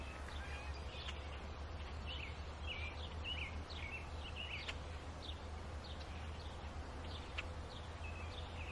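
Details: Robin nestlings give thin, high chirps in quick uneven bursts while their mother feeds them, over a steady low rumble of background noise.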